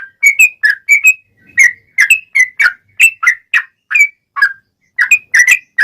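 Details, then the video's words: Sooty-headed bulbul, a male in fighting song with long phrases: clear liquid whistles in rapid, uneven sequence, occasionally doubled, with brief pauses. "Trucukan Gacor Tarung ROPEL PANJANG || cocok buat pancingan trucukan agar bunyi"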